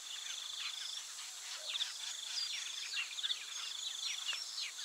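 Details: Many Taveta golden weavers calling together in a busy chorus of scratchy, fast descending chirps and buzzes. A constant shrill insect hum sits behind the birds.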